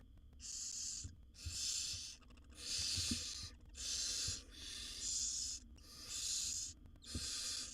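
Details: Steady run of seven loud, breathy snoring hisses, roughly one a second, from begging wild barn owl owlets, seven young in a nest box being fed by their mother; light knocks and a low hum underneath.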